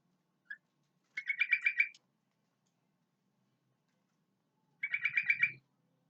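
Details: Sooty-headed bulbul in its natural voice gives two short bursts of fast, harsh chattering notes a few seconds apart after a single brief chip. Quiet between bursts, with a faint low rumble under the second.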